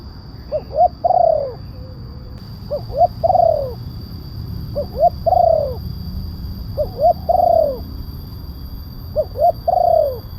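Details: Spotted dove call used as a lure for wild doves, a loud-voiced calling bird: two short coos then a long drawn descending coo, phrase repeated about every two seconds, five phrases, steady faint electrical hum behind.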